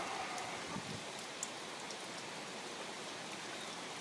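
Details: Steady rain pattering on a surface with a brief sharp drip or tap near the middle, and no animal voice heard.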